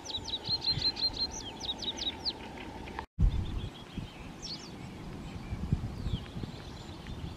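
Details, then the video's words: Common chiffchaff singing in rain, 26 April 2023: a quick run of about eight high, sharp, down-slurred notes, then scattered chirps, over steady pattering rain. "Голос пеночки теньковки."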